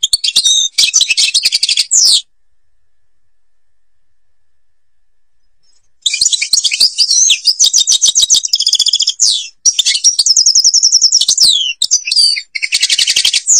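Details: European goldfinch, Algeria, giving two seconds of bright rapid twittering, then a silence of nearly four seconds, followed by a long flowing stream of high trills, chirps and slurred notes ending in a buzzy burst.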